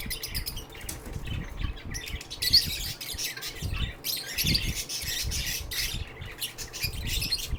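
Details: Sheltered lovebirds chattering in a dense, continuous stream of high, scratchy chirps and squeaks, with low rumbling room noise underneath.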